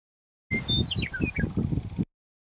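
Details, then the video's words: Western Meadowlark song at Kellys Slough NWR, Grand Forks, North Dakota, 27 March 2016, slowed down: a few clear, flute-like whistles, then a quick tumbling, gurgling run of descending notes, about a second and a half long, over heavy low rumbling noise. "Western Meadowlark: Slowing the Song"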